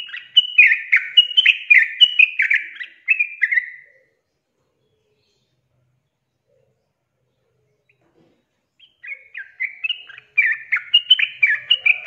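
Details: Sooty-headed bulbul song meant to prompt reluctant birds to sing: bursts of quick liquid whistled phrases for about four seconds, a long silent gap, then the chattering phrases resume.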